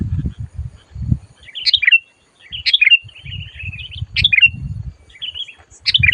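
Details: Sooty-headed bulbul under a trapping lure, calling loud and aggressive. Sharp, buzzy chirp notes come every second or so between softer twitters. Muffled low thuds run throughout.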